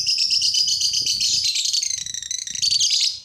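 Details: Lovebird song used to set off other lovebirds, a dense, unbroken high chatter of buzzy, rattling notes for about three seconds over faint low rumbling.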